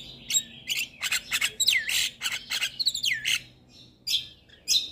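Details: Javan myna song from a lure recording meant to get reluctant birds singing: harsh high squawks and sharp clicks mixed with bright whistled notes, including a loud rising-then-falling slurred whistle near the middle, in uneven bursts.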